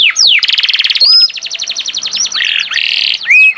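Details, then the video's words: Canary in gacor song, loud and constant: downswept whistle, a rapid buzzing trill, then softer repeated notes, buzzy rolls and a bright rising whistle. "Burung kenari gacor"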